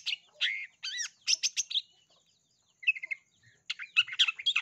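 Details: Long-tailed shrike singing, played to prompt other shrikes to sing and filled with sparrow-style bursts; rasping slurred notes and quick chatter come in clusters separated by brief silences.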